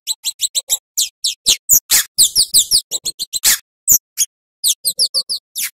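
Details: Energetic Scarlet-headed flowerpecker (Cabai Jawa) song meant to tutor cage songbirds such as white-eyes and weavers. About two sharp high notes per second: thin chips alternate with quick downslurred squeaky phrases and short rattling bursts, with brief pauses between.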